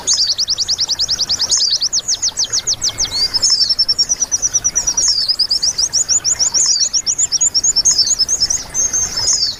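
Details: Shrill white-eye tutor song for making caged birds sing: a long rapid burst of downward-sweeping high notes, shifting into a twittering, jumbled warble with trilled phrases, continuous for nearly ten seconds over light hiss.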